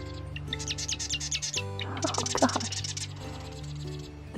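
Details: Two marsh wrens on cattails in a marsh at Monte Vista, Colorado, in the San Luis Valley, call back and forth after a storm with rapid, buzzy, mechanical rattles and trills, over steady background music and a low hum.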